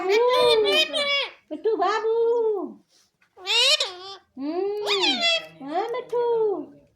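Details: Talking pet parrot babbling in a string of loud, harmonic, word-like syllables with bright high overtones, grouped into several phrases separated by brief pauses.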